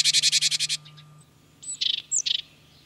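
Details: Great tit filmed in France giving a fast harsh churring chatter of about eight buzzy notes, a pause, then a sharp high note followed by two short scolding bursts; faint steady low hum in the background.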